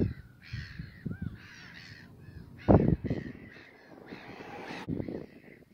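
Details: Caspian gull at the VAM site in Wijster, Netherlands, 21 March 2021: a series of harsh, nasal, drawn-out calls with rough harmonics, some short yelping notes between, and scattered low thumps and rumble in the background.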